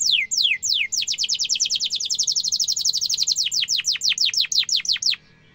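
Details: Singing canary, a sharp rolling song meant for young birds to learn: a few descending whistles lead into a long rapid trill of repeated notes, slowing into spaced downward sweeps before stopping.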